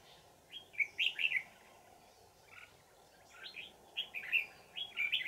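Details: Red-whiskered bulbul, an old wild bird with a bell-like twisting voice, caught with a decoy on 20 December 2018; several short bright warbled phrases of three to four notes, separated by brief pauses, over faint background hiss.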